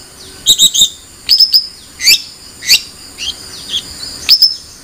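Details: Long-tailed shrike song mixing quick trilled triplets, sharp upslurred chirps and softer scratchy notes in uneven groups, high-pitched throughout.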